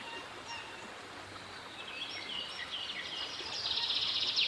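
Coot chicks give thin, high peeping calls in quick, uneven runs of about four a second, over steady river and wind noise that swells toward the end.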